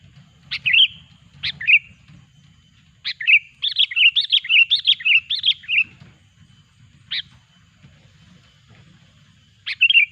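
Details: Sooty-headed bulbul, recorded as a trapping lure, giving sharp chirps and then a fast run of about eight bubbling, liquid notes in a row. Scattered single phrases follow, with a low hum underneath.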